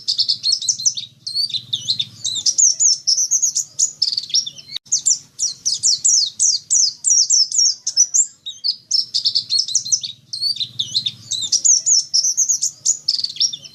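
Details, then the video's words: Pleci dakun white-eye singing long, fast, high-pitched twittering phrases of chattering, trilled notes, broken by short gaps, over a faint low background hum. "Suara pleci dakun"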